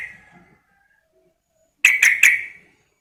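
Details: Sooty-headed bulbul female calling to a male: a fading note at the start, then a pause, then a tight burst of three bright, sharp notes in quick succession that ring out briefly.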